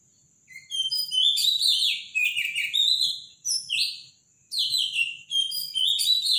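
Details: A robin sings a powerful, loud morning song of high, liquid warbling phrases with quick trills and slurred notes, in two bursts split by a brief pause. No other sounds stand out.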